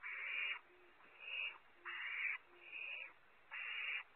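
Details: Barn owl owlets at a nest monitored by camera at Audubon Starr Ranch, California, competing for prey while the first owlet keeps it; long harsh rasping hisses, five bursts each about half a second.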